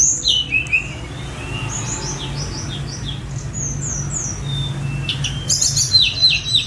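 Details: Sunda robin (tledekan gunung), spotted plumage, singing while let out free, phone recording for mastering; clear high whistles followed by a rhythmic run of repeated descending slurred notes, ending in a loud chattering burst.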